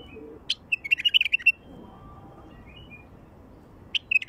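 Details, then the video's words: Wild bulbul, sung to call in other wild bulbuls: a sharp note, then a fast, bubbling run of warbled whistles lasting about a second, silence, and the start of another phrase. "تغريد بلبل وحشي لفتح البلابل الوحشية"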